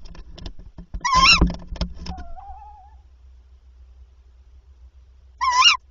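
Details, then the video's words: Tawny owl during nighttime prey deliveries on 7–8 April 2023, the male bringing three prey until 01:00; rustling and scraping noises under a harsh call, then a thin wavering whistle and another harsh call after a pause. "Bosuil prooioverdrachten"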